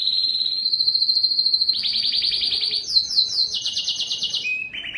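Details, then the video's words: Belgian canary singing high sustained trills, a steady whistled tour giving way to rapid pulsed rolls and a higher descending phrase, ending with short lower trills. "som do canario belga"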